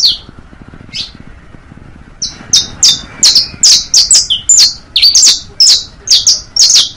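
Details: Teaching song of a saffron finch, bastos, pintos and finos styles: two isolated chirps, a pause, then a steady stream of high, bright slurred notes about twice a second, with a faint low hum beneath.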